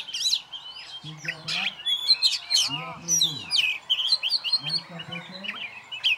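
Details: Solitary caged oriental magpie-robin, a contest champion, pours out a dense, continuous jumble of high chirps, whistles and fast trills while people talk quietly in the background.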